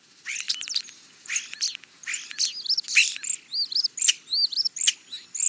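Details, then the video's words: A Common (European) starling, a frequent mimic, sings a jumbled song of harsh rattles, clicks and creaky notes mixed with clear slurred whistles, all high-pitched and in quick bursts. "European Starling - Songs"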